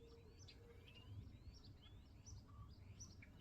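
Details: Common starling singing a quiet, varied run of thin whistles, some sliding upward, some dropping, mixed with short buzzy notes, over a heavy low rumble of background noise.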